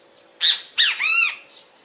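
A great kiskadee gives its loud, shrill three-part call: two short, harsh notes and then a longer, arched, drawn-out note, like "bem-te-vi".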